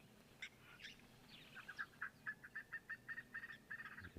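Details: Red-billed Spurfowl calling on 21 January 2023: a harsh, grating cackle of scratchy notes about five a second, building into a loud rattling series over a low background murmur.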